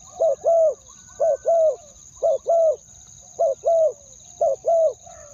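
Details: Decoy spotted dove cooing to lure wild doves, two-word style: regular pairs of soft low coos, a brief note followed by a longer sliding one, about once a second, with a thin steady whine throughout.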